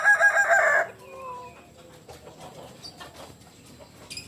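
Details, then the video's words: Kokok Balenggek cock from Solok in West Sumatra ending a crow with a brief loud harmonic burst under a second long, followed by two faint tonal notes and quiet ambient noise. "Ayam kukuak Balenggek"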